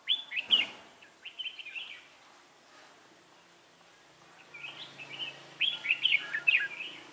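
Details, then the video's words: Red-whiskered bulbul during trapping on 3 November 2018 gives warbled chirping phrases at the start and again at the end, over a faint low hum. "Bẫy chào mào"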